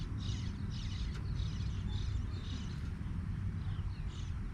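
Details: With parents close by, young bluebirds chirp loudly in a run of bright, high, clipped notes grouped in short bursts roughly every half second, one sharp click near the first second, and a steady low background drone.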